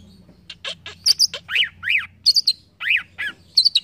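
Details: Cucak ijo (green leafbird) singing to prompt young, untrained birds. Loud notes alternate between rising-falling arched whistles and high doubled chips, spaced irregularly.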